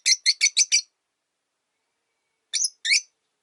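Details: Lone pet rosy-faced lovebird whose partner has died, calling from its perch: a fast run of five piercing chirps, a pause of well over a second, then two more scratchy high chirps.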